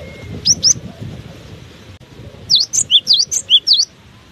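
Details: Cinereous tit keeps singing while buffeted by strong wind: two sharp high notes, a pause, then a rapid run of about eight bright, clear whistled notes that sweep up and down, over a low rumble of gusting wind.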